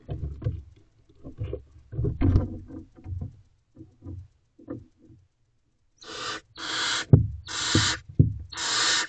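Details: Inside a barn owl nest box before dawn as the mother checks on her owlets: low scratching and shuffling, then from six seconds a run of harsh rasping hisses.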